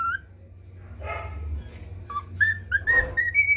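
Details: Pet male cockatiel training on the national anthem: after a breathy rustle, a rising series of short clean whistles, each a step higher, ending on a longer held note, low hum behind.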